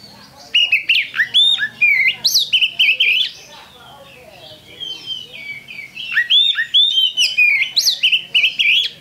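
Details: Oriental magpie-robin (kacer) singing continuously as a lure song for other birds: loud, varied whistled phrases with rising and falling notes and sharp chips in quick bursts, a pause near mid-clip, then another run of phrases.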